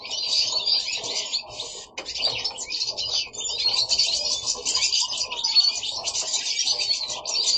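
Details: Goldfinches singing indoors at home in Italy, several birds at once: bright, rapid twittering with liquid trills and chirps running continuously, overlapping voices filling the room.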